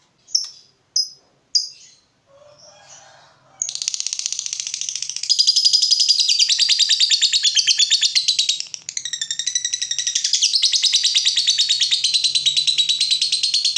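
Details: Agitated fighter lovebird reacting to a rival: a few sharp separate chirps, then a long fast continuous chatter of high buzzy notes, about three per second, running unbroken for ten seconds.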